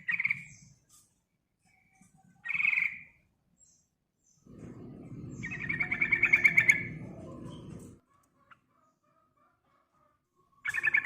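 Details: Chattering song of a yellow-vented bulbul used as a lure for other birds: short rasping bursts, then a long rattling trill over a rumbling background noise, then silence and a final burst.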